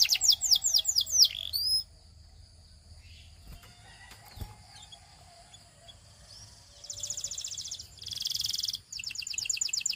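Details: A Belgian canary gives a short burst of quick falling notes, then a quiet pause with faint clicks, then returns with buzzy, fast rolling trills near the end.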